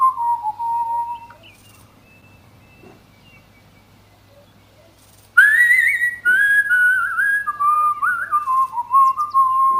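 A young cockatiel gives clear whistled notes that slide and warble, with a quiet pause midway.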